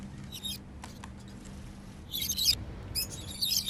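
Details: Freely flying African lovebirds sounding happy: faint short chirps early, then dense bursts of harsh, high twittering in the second half over a low electrical hum.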